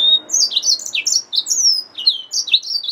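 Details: Yellow-fronted canary mule, a hybrid finch, pours out loud, high, fluty warbling with swooping down-slurred notes and long gliding whistles, nearly without pause.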